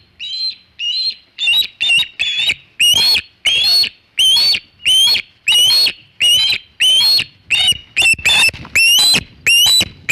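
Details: At the Hog Island Osprey nest with a large shad, 3:50 pm EDT, 27 August 2019, an osprey gives a steady run of loud, piercing whistled yelps, each short and slightly rising, repeated roughly every half second for ten seconds.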